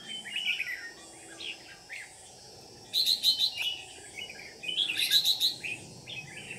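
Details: Lure Red-whiskered bulbul in a trapping session on 13 May 2019, Ché-style competitive singing: scattered warbles, then two loud bursts of rapid, evenly spaced sharp chirps about two seconds apart, with constant low hiss behind.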